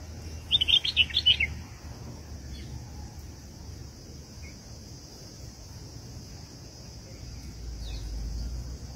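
A bulbul gives one quick, bubbly phrase of about five chirpy notes, then falls silent over a steady high insect-like hiss and a low rumble.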